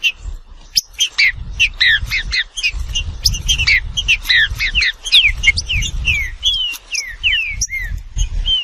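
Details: Green-winged saltator song, an irregular stream of clear slurred whistles, many dropping in pitch, closing with a few longer falling notes, with low rumbling noise in the background.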